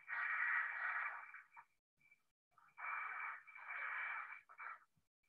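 Black Vulture giving two long, raspy hisses, each about one and a half to two seconds, like paper being torn, with brief huffs between them.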